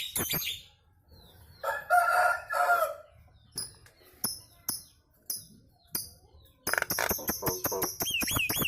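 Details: Nias hill myna in kemrewek chattering mode, prompting other birds to join: a rough buzzy phrase, spaced sharp high ticks, then rapid rattling bursts ending in a looping whistled note.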